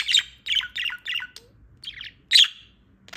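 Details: Young female budgerigar, newly awake, giving quick scratchy warbled notes in a run of four, a pause, then softer chatter and one loud harsh chirp, in quiet surroundings.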